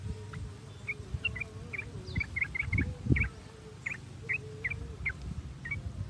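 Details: Sooty-headed bulbul calls played as a lure to get captive birds singing: short, clipped chirping notes repeated at an irregular, fairly quick pace, with a faint steady hum and low background rumble.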